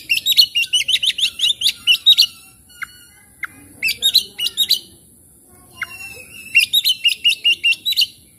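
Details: Oriental magpie-robin, a caged bird used to prompt stressed, quiet birds to sing: bursts of rapid, sharply modulated high chirps and whistles in rhythmic runs, separated by brief pauses and single thin notes, with a steady faint high hiss.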